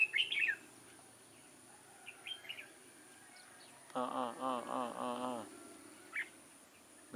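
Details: Decoy red-whiskered bulbul in a trapping setup, 6 October 2018: brief bright warbled phrases at start and end, separated by a lower, rapidly repeated harsh chattering burst in the middle; background hum throughout.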